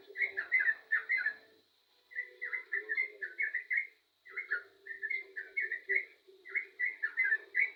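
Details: Lively yellow-vented bulbul song in bursts of quick, warbling chirped notes, broken by two short pauses, with a constant low hum and a thin high-pitched tone underneath.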